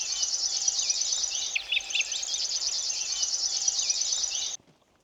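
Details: Common Grasshopper Warbler reeling on 20 June by the Vistula near Gdańsk, near old oxbow ponds; the bird sang nonstop with its bill open. A high, dry, insect-like trill stops abruptly after four and a half seconds, with brief chirps from other birds.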